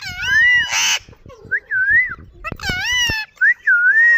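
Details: Pet green ring-necked parakeet, called Kashmiri tota, talking: loud, clear speech-like phrases with wavering whistled vowels, a harsh raspy burst and sharp clicks, delivered in quick bursts with brief pauses.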